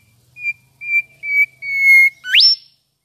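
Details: Mangrove whistler (Pachycephala cinerea), South-east Asia, singing: four clear, even whistles spaced about half a second apart, the fourth held longer, then a sharp, steeply rising whip-like final note; faint low hum underneath.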